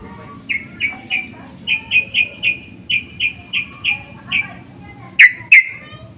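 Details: Sooty-headed bulbuls calling back and forth in a lure recording: a string of short, clipped notes, several per second and slightly uneven, ending in two louder, richer notes.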